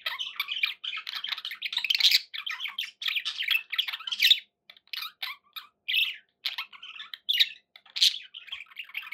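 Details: Budgerigars kept as pets give a busy, scratchy warble of chirps, squawks and clicks, nearly unbroken for the first four seconds, then split into shorter bursts with a few clear sharp notes.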